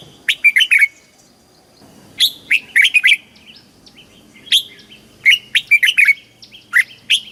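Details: Red-whiskered bulbul singing a southern master-pattern song, played to excite caged birds and teach young birds; short bursts of bright, slurred whistled notes in quick clusters of three to five, separated by brief pauses, clear and loud.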